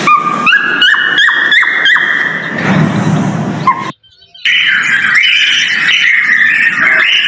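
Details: Courting male cockatiel during breeding, whistling a mating call: rapid clicks with rising whistled notes, a stretch of breathy noise, a short silence, then a new run of higher, wavering whistles.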